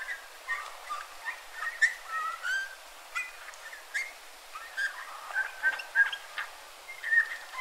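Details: Eurasian bullfinch in a Joroinen, Finland yard, producing soft fluty piping notes with quiet creaky twitters between them, delivered in irregular short phrases throughout.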